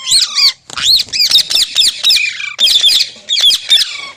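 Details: Green parrot calling in quick succession: looping, shrill whistled squawks, each bending up and down, in three rapid bursts.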